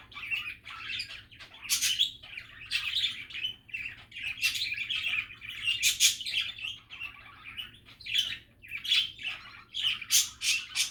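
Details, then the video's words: Pet budgerigars chattering contentedly, bubbling warbled phrases punctuated by sharp ticking clicks and short bright squeaks, rising and falling in rapid waves. "Happy and relaxing budgie chatter"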